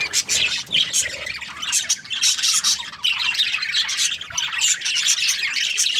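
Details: During breeding season, a group of happy budgies keeps up a loud, unbroken chatter of high squeaky chirps, buzzy trills and clipped squawks, all overlapping in a bright, busy flock chorus.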